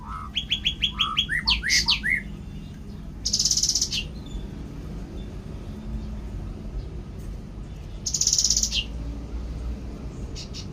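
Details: Cucak ranting song opening with a quick series of bright rising whistled notes, followed by two separate harsh buzzy bursts several seconds apart amid steady low background noise.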